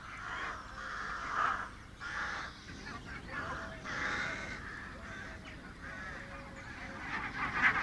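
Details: A flock of barnacle geese on Islay in early March, as the first geese depart for Iceland en route to Greenland, keeps up a dense chorus of overlapping, yapping honks in rolling waves over steady background hiss.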